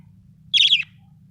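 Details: Happy budgie: a single short, bright chirp, a quick warbled note that slides downward, in a quiet room with faint low hum.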